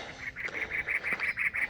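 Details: Cactus wren (Campylorhynchus brunneicapillus) calling early in the morning beside a steep power-line service road through desert with prickly pear near Canyon Lake: a fast, harsh, chugging series of raspy notes, steady in pitch.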